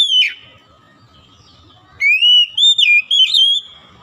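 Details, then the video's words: Oriental magpie-robin (kacer) brought from reluctance into frequent song: one sharp downslurred whistle, a pause, then a sustained sequence of bright, slightly warbling whistled notes. "KACER YANG MALAS BUNYI JADI GACOR"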